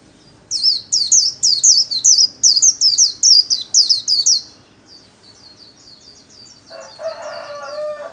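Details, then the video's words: Kept white-eye singing in the rapid 'líu' style, a solo used to train other cage birds. About four seconds of quick, high, twisting whistled notes, then softer twitters, then a lower, harmonic, fowl-like call at the end. "KHUYÊN LÍU SOLO RẤT HAY - LUYỆN KHUYÊN LÍU MỖI NGÀY"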